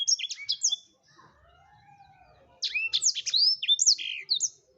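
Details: Blackthroat singing: a rush of high, bright chirps and slurred whistles, a short pause with a faint low rising-and-falling tone, then a renewed burst of loud, sweeping twitters.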